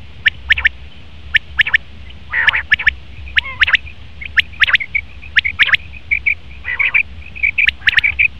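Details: A steady run of sharp high triplets from a male common quail, interspersed with brief tonal notes and a couple of lower, raspy nasal calls.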